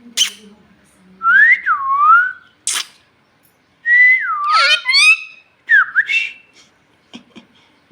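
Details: Bhojpuri talking parrot asking for food, giving sliding whistled phrases that dip and rise, with sharp clicks and a raspy harmonic squawk between them.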